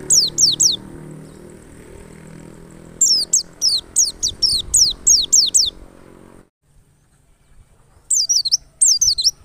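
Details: Lure song of a wild white-eye meant to get other white-eyes singing: rapid series of high, thin, swooping whistles in three bursts, with low hum behind the first half and near-silence later.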